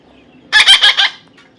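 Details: One grating burst of four quick, harsh pulses, trailing off sharply, from a baby parrot that is being tamed.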